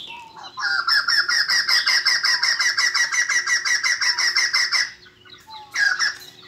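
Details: Caged White-crested laughingthrush giving a fast, even run of about a dozen loud chattering notes, roughly three per second, for four seconds, followed by a short pause and one more burst.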